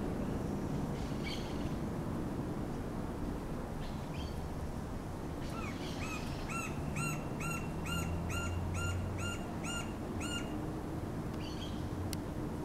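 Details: Green-barred woodpecker (Colaptes melanochloros) on a utility pole in Campo Grande, Mato Grosso do Sul, Brazil, gives a loud, ringing series of about ten evenly spaced notes, roughly two per second, over a steady low rumble.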